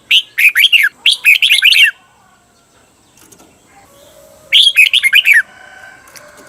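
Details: Training recording of a caged red-whiskered bulbul for teaching a long doubled phrase: two quick bursts of rich, slurred downward-swooping whistles, then a pause and a third burst, over a quiet background.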